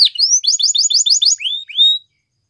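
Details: Short canary phrase: a rapid series of rising buzzy notes followed by two longer, smooth, upward-sliding whistles, then silence.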